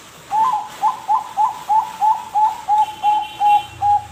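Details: Bangkok-type zebra dove song used to prompt other birds to sing: a run of short, even cooing notes repeated about three times a second at steady pitch, with a faint high hum in the background.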